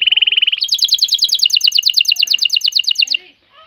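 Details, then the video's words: Excited male canary singing to call a female and prompt mating: a fast, even trill of bright high notes that steps up to a higher, ringing, rapidly repeated phrase for about three seconds, then stops. "تغريد كناري جاهز التزاوج, تزاوج طاىر الكناري, نداء ذكر الكتاري التزاوج"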